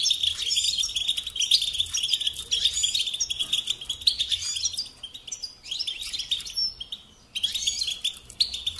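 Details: European goldfinch song from a domestic bird: rapid sparkling twitter phrases with trilled and buzzy notes, a brief silent gap near the end before singing restarts.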